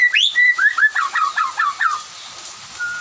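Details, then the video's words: White-rumped shama in afternoon song while others answer; a high upswept whistle then a steady series of about seven slurred notes, roughly three a second, ending in quiet with a faint distant whistle. "kicau murai batu sore hari bikin yang lain ikut nyaut"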